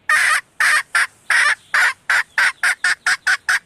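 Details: Female red junglefowl call used as a lure to attract males: a rapid series of about a dozen short, harsh clucking notes, several per second, slightly quickening toward the end.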